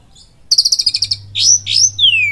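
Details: Oriental magpie-robin (kacer) in full kapas tembak style with cililin notes, a lure song: a burst of about ten rapid sharp notes, then bright downslurred whistles ending in a long falling glide, over a faint low hum.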